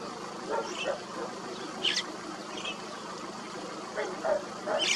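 White-cheeked starlings chatter in a flock: scattered harsh, squeaky chirps and rasping notes at uneven intervals, over a steady murmur of background noise.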